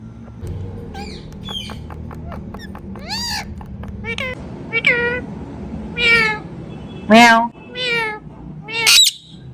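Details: Talking ringneck parrot: soft clicks and short nasal notes build into loud, drawn-out squawky words that rise and fall, the last few strongest, over low background noise.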